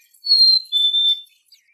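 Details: Black-capped chickadee whistling two pure, steady notes, the first higher and held, the second a step lower and equally long, in a quiet setting.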